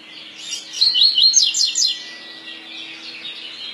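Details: 'Tui tui' song type of a double-collared seedeater: a clear, fast run of looping whistled notes, each sweeping up and down, lasting about a second, then fading into faint high twitters.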